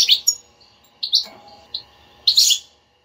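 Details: Stimulating batbata of a European goldfinch, for a bird that does not sing: bright twittering chirps, a couple of short nasal notes, then a dense buzzy burst.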